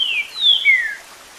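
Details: Green-winged saltator singing the 'Eu Sou Terrível' song style, mixed with water sound: three clear whistled notes, each sliding downward, within about one second, then a faint steady watery hiss.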